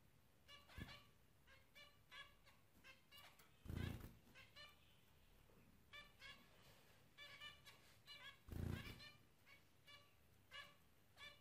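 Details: Zebra finches calling steadily with brief nasal honking notes, scattered singly and in pairs across the stretch, with two heavy knocking thuds interrupting.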